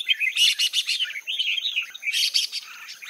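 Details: Female red-whiskered bulbul calling to stimulate males to sing: dense bursts of bright, chattering chirps in two rapid clusters, separated by a softer run of warbled notes, with no other clear sounds.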